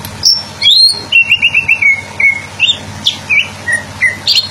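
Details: Greater green leafbird in song: an upslurred high note, then a quick string of short falling whistles repeated rapidly, followed by scattered chips and varied whistles, over a low steady hum.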